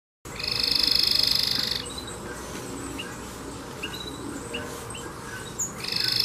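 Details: Yellow domestic canary singing a great deal: a rapid, buzzy high trill lasting about one and a half seconds, then soft scattered chirps over a low steady hum, before the dense trill returns at the end.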